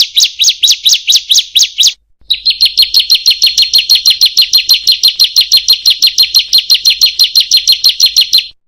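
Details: High bar-winged prinia song, called ciblek or prenjak, used to train reluctant singing birds: several spaced sharp notes, a brief gap, then a long quick run of repeated chipping notes.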